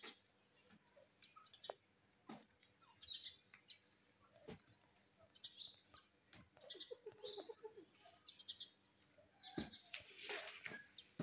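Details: A pet grey parrot (Psittacus erithacus) talking: soft, high chirps and short whistled bursts, with quieter mumbled phrases between them and a few sharp clicks.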